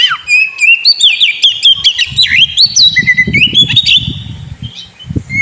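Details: Oriental magpie-robin (kacer), a kept bird, in a lure song for a sulking bird: dense, varied whistled song with swoops and trills, over a steady low rumbling noise.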